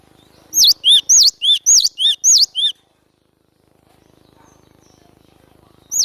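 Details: Cinereous tit singing vigorously as a trapping lure: a rapid run of about eight ringing two-note phrases, each a high V-shaped whistle dropping to a lower note, then a pause and a final note starting again.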